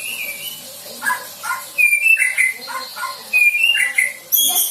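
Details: White-rumped shama youngster, newly out of juvenile spots, rehearsing song filler material: a steady stream of varied notes, including clear level whistles, short rising chirps and a few harsher high phrases, in fast succession.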